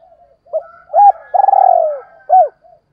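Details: Spotted dove cooing for training decoy birds, one phrase: a soft coo, a firmer coo, a long pulsing note gliding down, then a final short coo, close and clean.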